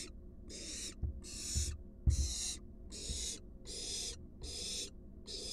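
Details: Wild barn owl in a monitored nest box as an adult brings a large rat to its fledgling: harsh broadband hisses, each about half a second, repeated steadily about every 0.7 seconds, with dull thumps and knocks between.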